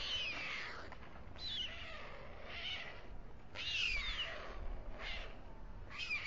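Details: A male white stork feeding two chicks at dusk on the Alcalá de Henares town hall tower, Spain. Repeated short, grating, hissy calls with falling tone follow each other roughly every second.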